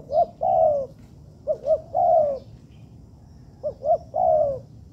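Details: Spotted dove being trained in an artificial garden gives mellow phrases. Each is two brief hoots leading into a longer coo that falls away, heard three times over a faint background.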